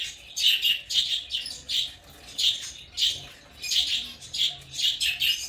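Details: African lovebirds chirping in shrill, high squeaky bursts, roughly one every second or so, each a short harsh chatter, with brief quiet gaps between them.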